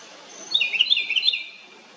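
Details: A house wren gives a loud noise: a rapid, slightly uneven string of high, sharp chattering notes lasting about a second, with no other sounds.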